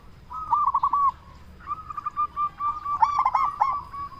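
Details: Loud local zebra dove call meant to draw answers from other zebra doves: a brief rolling coo, then a longer run of quick, looping coos with a bubbly burst near the end, a steady thin drone behind.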